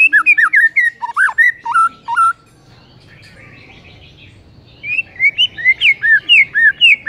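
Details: White-rumped shama morning masteran song: bright whistled slurs and high ticks in quick phrases, a silent pause of about two seconds, then another burst of rising and falling whistles.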